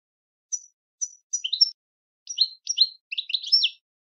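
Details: Three thin, high chirps spaced half a second apart lead into short bursts of tumbling goldfinch twitter, each burst a tight cluster of sharp, slurred notes, with nothing else heard.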